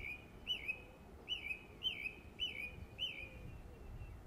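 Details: Summer song of a song thrush, West Cornwall, England: a looping, slurred whistle phrase delivered about six times at a steady pace, clear and high against a quiet background.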